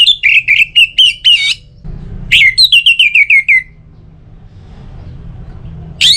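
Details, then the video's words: Orange-headed thrush song, North Bali, used as a lure for other singing birds: quick repeated downslurred whistled notes in two runs, each about a dozen notes, ending with a rising high note after a pause. "ANIS MERAH Untuk Suara Pancingan Burung Agar Rajin Bunyi Ngeplong Pagi sampai Sore Hari"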